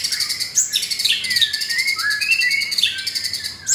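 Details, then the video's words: Captive-bred F4 blorok (pied) White-rumped shama in Jakarta, Indonesia, singing its rough-style 'materi kasar' song: loud sliding whistles and bright chirps with buzzy high notes, rising near the end. "Murai Batu F4 Blorok Materi Kasar"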